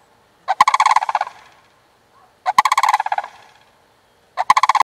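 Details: A playful pair of sandhill cranes, male and female, jumping around early before mating season, uttering three harsh, rolling rattle calls spaced about two seconds apart, each a quick run of pulses fading at the end.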